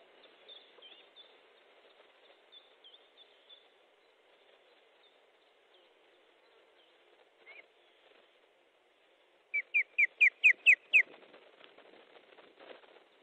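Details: Osprey nest in Estonia, 13 July 2014 at 19.30, fish delivery: after faint quiet notes, a fast run of about seven loud sharp whistled chirps, evenly spaced, then soft rustling.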